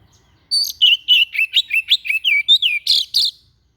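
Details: A white-breasted bird gives a strange song, recorded as tutor material for teaching other birds: rapid chattering phrase of warbled, bending whistles and squeaky chirps, about a dozen notes in three seconds, otherwise silent.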